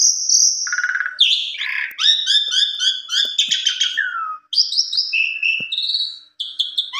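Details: Asian pied starling singing excitedly against a rival: buzzy low phrases, then rapid chattering repeated notes, descending slurs and a string of high clear whistles, with faint clicks in the background.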